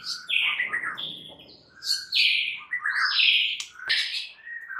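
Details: Lure song of a white-rumped shama, champion-bird material to provoke rivals into singing: loud, harsh, rich notes in quick phrases over steady background hiss.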